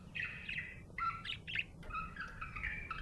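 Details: Cheerful budgie chirping: ragged bursts of squeaky, rasping chatter broken by brief gaps, with a few sharper upward squeaks and low background rumble.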